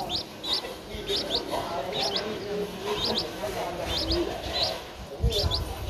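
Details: Streak-eared Bulbul chick, 11 days old, Ubon Ratchathani, Thailand, 13 April 2023. Quick high chirps, often given as doubled notes, repeat every second or so over low rustling background noise and a brief thump near the end.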